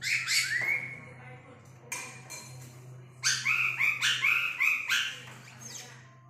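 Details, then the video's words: An old-forest laughingthrush singing a rooster-crow-like song gives loud, ringing whistled phrases: a drawn-out sliding note like a rooster's crow, then a fast run of five bubbling notes, over a low steady hum. "Khướu bổi rừng già giọng hót Gà gáy Ò... ó... o"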